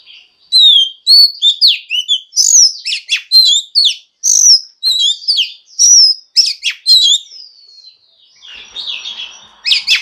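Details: Female Oriental magpie-robin said to rouse males into singing, giving a continuous sequence of loud, clear whistles, sharp up-and-down slurs and trilled fragments, softening into a quieter, scratchy passage near the end.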